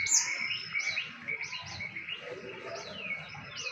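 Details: Songbird at a bird singing competition, a shrill run of high whistled and chirped notes in quick succession over a dense background of other birds singing.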